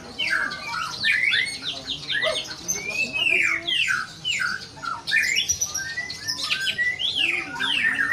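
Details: Murai batu, the white-rumped shama, delivering energetic song: clear, loud whistles that slur up and down, interspersed with scratchy chatter and quick trills. Phrases come in close bursts with brief gaps, heard indoors.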